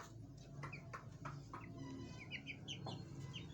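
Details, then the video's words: A chukar partridge with chicks gives short clucking notes, with the chicks' high thin peeps scattered through, over a steady low rumble of background noise. "Chakor Ki awaz | Partridge Bird chakor sounds"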